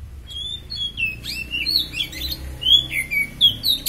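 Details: Superfit Oriental magpie-robin (kacer) used as a master for training birds: continuous rich warbling of whistled slides and twisting notes, rising and falling quickly, with low rumble beneath.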